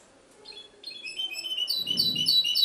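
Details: Goldfinch hybrid in Ksar el Kebir, Morocco, starting softly and rising into loud, rapid, high-pitched trilling song with ringing repeated notes, plus a faint low rustle partway through.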